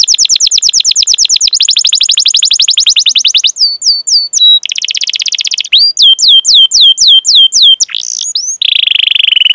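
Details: Singing canary used as a training lure, its 'cuit cuit' rolling song running fast high downslurred notes, then hooked whistles, dense buzzy trills and looping upslurred notes in quick succession.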